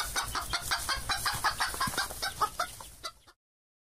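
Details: Chicken clucking in a busy, rapid stream of short harsh bursts, nearly three per second, overlapping and uneven, fading slightly before stopping abruptly after about three seconds, followed by silence.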